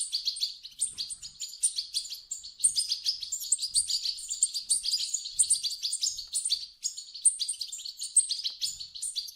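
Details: European goldfinch chicks begging, their calls used to stir an adult goldfinch into song: a dense, continuous twittering of high, thin, overlapping chirps and squeaks with no pauses.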